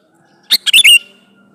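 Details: Male sooty-headed bulbul calling a female: one loud phrase of four fast notes, a short sharp note and then liquid downslurred whistles.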